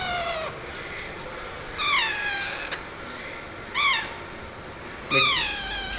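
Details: A parrot gives three loud, nasal, harmonic calls that slide downward, spaced about two seconds apart, after a fainter falling note at the start.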